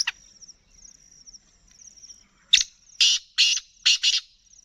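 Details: Black francolin calling; a faint high trill in the background, then a harsh, loud, rasping phrase of five separate grating notes in quick succession, each about a third of a second long.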